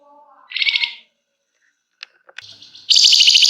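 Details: Gacor flamboyan with long ngebren and emotional nyecret, used as a lure to prompt singing: a brief high, buzzy trill, then scattered clicks and faint lower tones, then a loud, dense trilled burst at the end.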